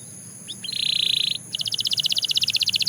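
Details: Belgian canary song: a short upward slur, then a steady high buzzy trill held about half a second, a pause, and a fast series of rapid repeated notes like a rattling trill, all high-pitched with faint low hum beneath.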